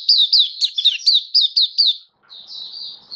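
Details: Oriental white-eye kept as a caged song bird, October 2022: eight bright, slurred high notes in rapid sequence, a brief pause, then a softer, thinner twitter trailing off.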